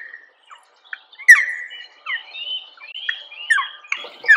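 A Black Woodpecker gives a run of harsh, squawking call notes, each sliding in pitch, coming faster and louder toward the end. No other clear sounds.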